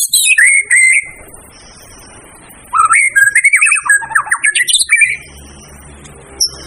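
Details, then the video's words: White-rumped shama song used for training birds. A clear whistled phrase is followed by a pause, then a lively twisting warble of slurred notes climbing in pitch, over a faint constant high hiss. "siapkan mental burung anda jika mendengar suara burung murai satu ini"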